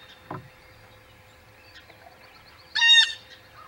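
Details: Single harsh, buzzy jeer from a Blue jay near the Audubon Boathouse nest in early morning, 19 April 2020, following a soft low thump and faint background chatter.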